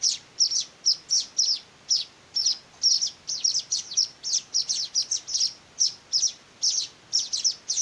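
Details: Hand-fed weaver nestlings calling for food with thin, piercing chirps, bursts of one or two notes repeated rapidly and unevenly, roughly three per second, over a quiet background.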